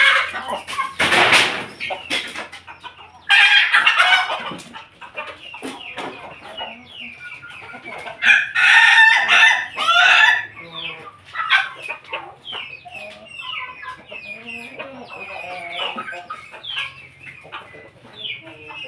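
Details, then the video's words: Family of domestic chickens, a crossbreed of pelung, Bangkok and laughing chickens from Jogja, eating together at midday; loud harsh crowing bursts near the start and around the middle, with busy overlapping clucks and short calls from many birds. "ayam pelung Bangkok ketawa persilangan ayam Jogja"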